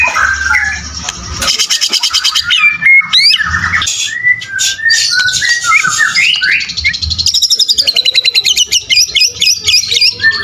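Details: Murai batu, the white-rumped shama, singing full fighter with rich material: a long, energetic run of rapid staccato notes, harsh buzzy bursts, swooping whistled slurs, and quick repeated clicks, mostly high-pitched and almost unbroken, with a faint low hum beneath.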